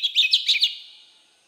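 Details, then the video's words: Oriental magpie-robin in wild-type voice, a quick series of five sharp chirped notes over about half a second, each bright and slightly buzzy, fading out into silence. "Chích Choè Than giọng rừng kích bổi"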